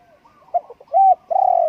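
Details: Spotted dove cooing: faint soft notes lead into a short coo, then a longer smooth coo and a final drawn-out, slightly wavering coo, all mid-pitched and mellow.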